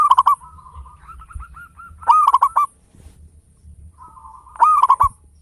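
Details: Strong-voiced local zebra dove, kept to stimulate other birds into song, repeats its rhythmic cooing phrase about every 2.5 seconds: soft stepped notes building into a loud, fast rolling flourish, three times.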